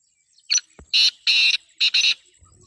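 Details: Black francolin female giving its call to draw a male: a brief scratchy lead note, then two pairs of loud, harsh, buzzy rasping notes in quick rhythm, dry and grating.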